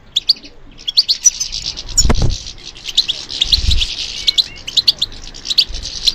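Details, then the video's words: European goldfinch song given in response to stimulation: bursts of thin, high twitters and sharp tweets separated by short gaps, with a couple of dull low thumps in the background. "How to encourage the goldfinch to respond to stimulation"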